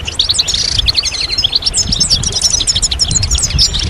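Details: Four seconds of massed European goldfinch twittering, used to encourage males to sing. Sharp, bright chirps and short buzzy notes tumble rapidly without pause, with low rumble underneath.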